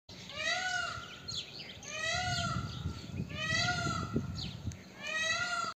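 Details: Indian peafowl calling: loud, nasal, harmonic-rich cries, each slightly arched in pitch, repeated about every one and a half seconds, over a steady low rumbling outdoor background.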